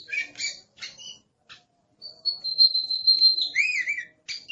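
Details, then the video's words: Aggressive Oriental magpie-robin song from a kept Indonesian bird: a few harsh chattering notes, a pause, then a long level high whistle that wavers and ends in rising-and-falling whistled slurs. "Suara Master Burung Kacer Galak"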